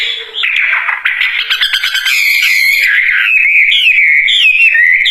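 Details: Wambie bird singing loudly and persistently in gacor style: choppy rattling chips at first, then flowing, twisting whistled phrases that rise and fall.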